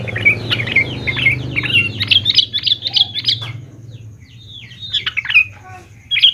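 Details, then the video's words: Sooty-headed bulbul lure song to prompt young bulbuls to answer: lively, continuous run of liquid, chirruping whistles and quick rising notes, easing off briefly before resuming, with faint low rumble underneath. "BURUNG KUTILANG GACOR | dijamin 100% nyaut GACOR kutilang muda anda"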